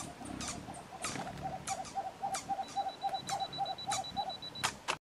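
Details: White-throated screech-owl at Yanacocha Reserve, Ecuador, giving a steady series of about a dozen soft low toots, roughly four per second, with sharp clicks and a thin high whine in the background.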